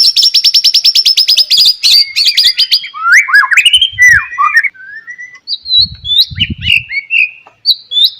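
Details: White-rumped shama morning song, meant to stimulate other shamas to sing: a rapid rattle of high repeated notes, then rich slurred whistles and scattered high chips, with faint low thumps.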